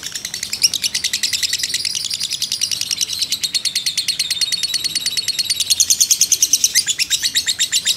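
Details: Lovebird, a fighter bird, in a long continuous emotional trilling song: a fast unbroken chatter of very high, dense repeated notes running throughout without pause.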